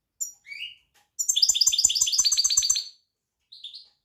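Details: Singing European goldfinch: a couple of rising call notes, then a quick run of tinkling, twittering notes at about three per second, ending with a short high note.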